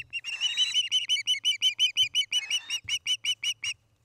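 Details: Osprey calling from a nest in Charlo, Montana, caught by nest camera on an August 2018 evening: quick repeated piercing chirps, near five per second, slowing slightly near the end, over faint rustles and a low background hum.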